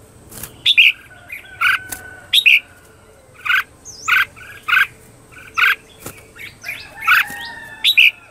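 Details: Red-whiskered bulbul lure song meant to provoke birds into competitive singing: repeated paired chirps, a higher note dropping into a lower one, given about once a second, with a faint steady whine behind.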